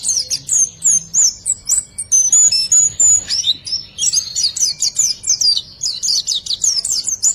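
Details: Training recording of white-eye song for luring silent birds to sing: quick runs of sharp, high twitters and looping whistles, repeated in closely packed phrases with brief pauses.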